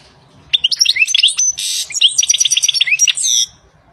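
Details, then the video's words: European goldfinch singing in nature: a dense, rapid jumble of high tinkling chirps and short rising whistles, broken by a harsh buzzy burst, lasting about three seconds. "تغريد طائر الحسون The song of the goldfinch Le chant du chardonneret El canto del jilgero"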